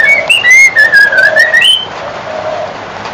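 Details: Young White-crowned shama, around four months old, singing during an afternoon bath; a loud run of smooth whistled notes, slurred up and down, ending in a higher rising whistle, followed by quieter background.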